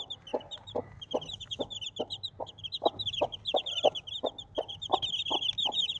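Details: Desi mother hen with her four baby chicks: steady low clucks repeated roughly every half second, under a constant stream of high, thin chick peeping throughout.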